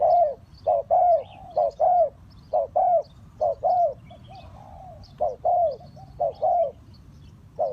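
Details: Spotted dove used to attract wild birds into traps, cooing in a long steady run of short-and-long note pairs about once a second, with a softer drawn coo midway and faint high chirps.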